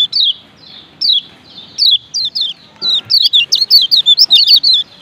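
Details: High 'ciak ciak' chirps of a male lemon-bellied white-eye, Lombok: spaced single down-slurred notes about every second or less, then speeding into a rapid chattering series.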